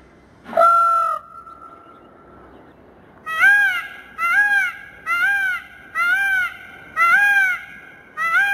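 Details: A male peacock gives one loud, drawn-out wailing call, then six shorter, ringing honks in a quick series about a second apart. The background is quiet.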